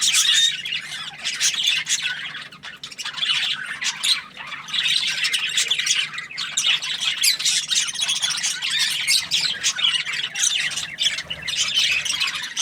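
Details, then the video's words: Happy budgerigar chirping: dense, nonstop high chatter of squawky chirps and warbles, with brief pitch-sliding notes and a short lull near the third second. "Happy Budgie chirping sounds"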